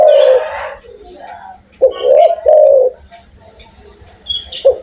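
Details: Loud-voiced spotted dove calling actively: a low coo at the start, then a pair of mellow, rising-then-falling coos back to back near the middle, and a short coo at the end, with some scratchy noise early on.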